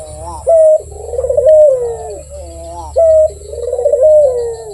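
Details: Barbary dove cooing tunefully and persistently: two bouts, each a short bright note followed by a trilled, rolling coo that sinks in pitch, repeated about every two and a half seconds.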